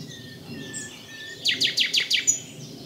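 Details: Singing common nightingale, somewhat distant: soft drawn-out whistles, then a short burst of five or six quick, sharply descending swept notes, followed by one high whistle.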